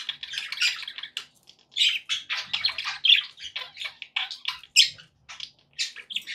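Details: Group of pet budgies keeping up a steady stream of harsh chirps and rolling warbled notes, almost continuous with tiny pauses between phrases.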